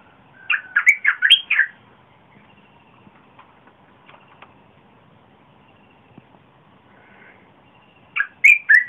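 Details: Red-whiskered bulbul song for luring wild birds and teaching young ones: a quick, loud warbled phrase of about six notes at the start, a long near-silent gap, then another phrase beginning at the end.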